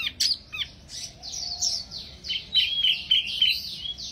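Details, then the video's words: Small wambi bird singing energetically: a quick run of high, thin chirps and short whistled slurs, some notes dropping in pitch, delivered in loose irregular bursts with brief pauses. "Burung Wambi Mini Gacor Banget"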